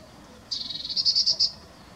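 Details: Great crested grebe at Ammersee giving a thin, high, rapidly pulsed call of about ten notes over one second, growing louder toward the end; otherwise quiet.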